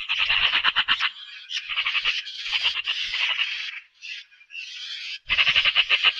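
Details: Grating, machine-gun rattle from a Eurasian magpie, continuous for almost four seconds, a brief lull with a few scratchy notes, then a loud fast rattle to the end.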